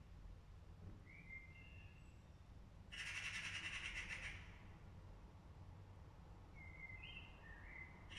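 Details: An angry magpie gives a loud, harsh rattling chatter for over a second, with brief whistled notes from another bird before and after over low background rumble.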